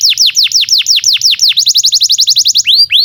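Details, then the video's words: Canary singing, a tutor song for young canaries: loud descending whistles about five per second, then a quicker run of short rising notes, ending with two long upward sweeping whistles. "SUARA BURUNG Kenari GACOR PANJANG"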